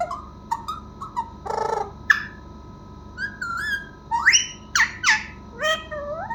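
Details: Parrot making a varied run of calls: short whistled notes, a brief harsh burst, then rising and falling whistles and squawk-like sweeps that grow louder toward the end, with a steady faint hum behind.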